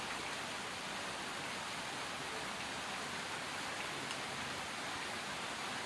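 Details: Steady rain pours down as an even hiss of drops on surfaces, with no calls standing out.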